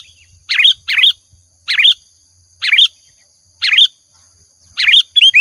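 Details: Sooty-headed bulbul singing actively, used as a lure sound: short paired bubbly whistled phrases repeated about every second, each note slurring down then up, with a faint low hum beneath.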